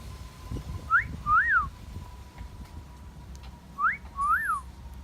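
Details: Garden parrot whistling twice, each a quick upward note then a swooping rise-fall wolf whistle, with a faint steady hum beneath.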